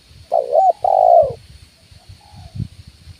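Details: Spotted dove luring call, the "kuk 1" type used by bird trappers at branch and ground: one loud low coo of quavering note plus long falling note, a fainter coo answering after, low knocking thuds and insect hum in the background.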